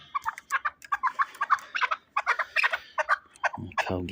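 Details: Shahritus fighting chukar delivering a fast, continuous stream of sharp chuck notes, several per second, briefly pausing near the middle, with a deep low rumbling sound entering at the end.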